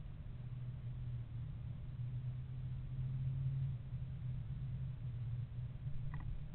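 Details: Low, steady rumble like a distant engine, with only a tiny click near the end and no animal voices.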